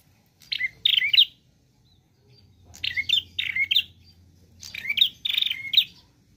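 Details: Energetic prinia song, 'gacor' with 'nembak' variation: three separate bursts of scratchy, twittering chirps, each a rapid cluster of high notes, spaced about two seconds apart over a quiet background.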